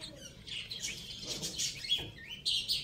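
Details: Young domestic chicks playing, giving a stream of high, thin peeps and short chirps that overlap from many birds, with a louder sharp cheep near the end; a faint low background rumble underneath.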